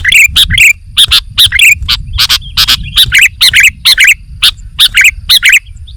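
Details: Sooty-headed bulbul singing actively for a training recording: a steady string of short, bright chirps and twisting whistled notes, spaced irregularly through the passage with brief pauses.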